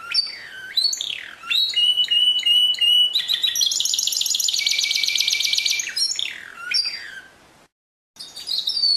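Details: Canary singing a varied phrase: sweeping whistles dropping in pitch, short repeated chips, then a long dense buzzy rattle-trill, more swooping notes, a brief pause and a resumed high phrase.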